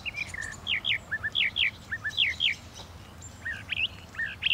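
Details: Northern mockingbird singing: a varied run of short, sharp rising and falling whistled phrases, each repeated two or three times before switching, over a low steady background hum.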